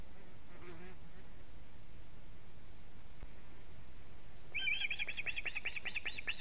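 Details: Osprey at a Latvian live-camera nest on 10 August 2017, evening, as two birds compete over a fish; one abandons it and flies off while the other stays to eat. Mostly quiet, then a rapid burst of shrill repeated chirps near the end.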